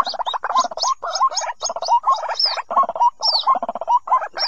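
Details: Recording of White-breasted Waterhen chicks, meant to lure waterhens that won't come out of bushes: rapid, raspy, stuttering calls in bursts several times a second, mixed with thin high squeaks and whistles.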